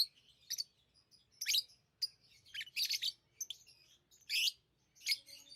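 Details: Lovebirds chirping in irregular, high, rasping bursts, some isolated and some bunched, over a quiet background.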